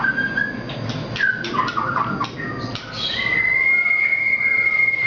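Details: Very active Nias white-rumped shama song: scattered whistled and chattering notes followed by a long, steady, pure whistle held for about two seconds.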